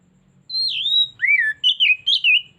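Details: Loud whistled phrase from an Oriental magpie-robin played as a singing lure: a long high note dipping and rising, then a lower swoop and a run of three or four quick warbling notes, with faint low hum behind.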